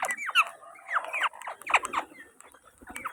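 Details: Indian ringneck parakeets recorded on 19 January 2024: a busy run of harsh, downward-sweeping squawks and chattering notes, several overlapping in quick succession, with brief pauses between bursts.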